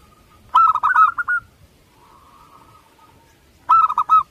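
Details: Local-strain zebra dove giving a rapid burst of five or six bubbling coos, then a faint drawn-out tone, and another short rolling phrase at the end.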